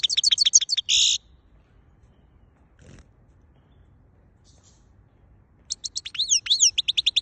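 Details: European goldfinch from Quetta, Afghanistan: a fast sequence of clipped twittering chips ending in a buzzy note, a long pause, then another lively run of sliding, tinkling chirps.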